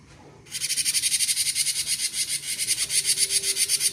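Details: Cinereous tit starting a konslet-style song: a quiet opening, then a sudden burst of grating, quickly repeated high pulses at roughly four per second that carry on steadily.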